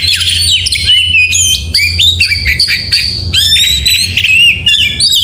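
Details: An oriental magpie-robin sings in the morning: a continuous, loud run of high whistled and slurred phrases, some repeated in short series, rich and varied, over a faint low hum.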